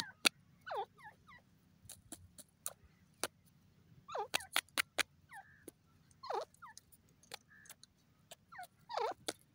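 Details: Grey francolin, called teetar, giving loud rising-falling calls in short bursts between sharp clicks and taps.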